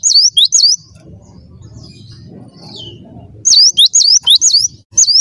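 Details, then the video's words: Gelatik batu singing in gacor style: sharp two-note whistled phrases, high then dropping, repeated in quick bursts at the start and again after a quiet gap of about three seconds with faint low rumble. "Burung gelatik batu gacor"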